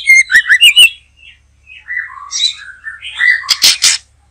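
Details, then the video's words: Singing white-rumped shama, caught in a backyard trapping session: a quick series of bright whistled notes opens, followed by softer varied warbles and ending in loud, harsh, rasping bursts. "Mikat Burung Murai batu,,Sudah gacor dorrr"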